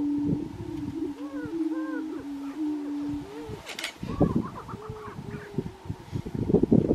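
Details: Grouse displaying at a lek in Colorado during 2023. A continuous low drone is overlaid by rising-and-falling whistled whines, then a flurry of popping, clucking notes and scattered higher yelps.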